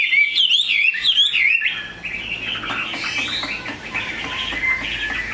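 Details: Caged pure-bred Chinese hwamei with a large build, kept as a songbird; loud slurred whistles swooping between high and low notes for about two seconds, then softer warbling continues under a rough background hiss.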